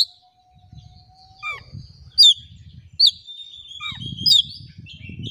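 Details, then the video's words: Oriental magpie-robin song meant to provoke a quiet, reluctant bird into answering a rival: a steady low whistle, then sharp downslurred and upslurred notes spaced about a second apart over a faint low rumble. "KACER GACOR CARI LAWAN.! PANCINGAN KACER PENDIAM MALAS BUNYI LANGSUNG NYAUT."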